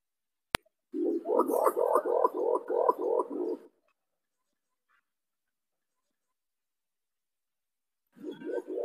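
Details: Imperial pigeon lure call for trapping birds, a low, rolling run of about ten quick, even hooting pulses lasting nearly three seconds, a sharp click before it, then silence and another pulsing run beginning.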